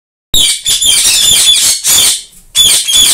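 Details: White ringneck (rose-ringed) parakeet chicks give harsh, raspy, high-pitched calls in near-continuous bursts with two brief pauses, several voices overlapping in a small room.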